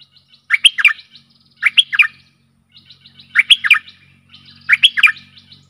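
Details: Stripe-throated bulbul decoy song for aggressive wild birds: four short bubbly phrases of liquid up-and-down notes over a faint low hum.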